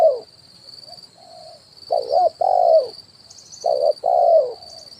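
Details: Lure recording of a spotted dove in kuk 1 style, perched on a branch and the ground: soft lead-in coos, then two loud paired phrases of a quavering note and a longer mellow coo, with a constant high-pitched hum behind.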